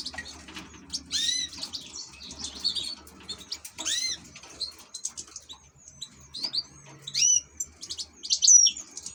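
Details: European goldfinch from ornamental bird keeping, delivering bright, rapid twittering and upswept whistles in irregular bursts, some notes loud and piercing, with faint low hum behind.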